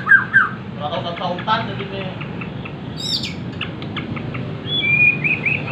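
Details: A Bornean white-rumped shama sings a quick run of short, sharp chirps and trills, then bright whistled notes, copying a prinia's song over a low background hum.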